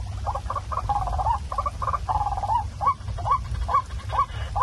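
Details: Waterhen lure call played after dark to catch the birds: a burst of rapid pulsed notes and a drawn-out wavering phrase, then separate rising whistles about every half second, with low hum.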